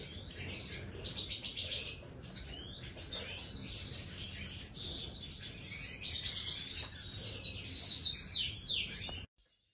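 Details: Aviary-kept Major goldfinch delivering a rapid tinkling song of bursts of high buzzy trills and sharp chirps, about three or so phrases a second, then stopping abruptly into silence near the end.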